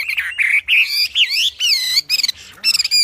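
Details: Loud, strident ashy tailorbird song used as training material for cage birds: quick slurred whistles rising and falling in short bursts, some buzzy chattering notes between them, clean with no background noise.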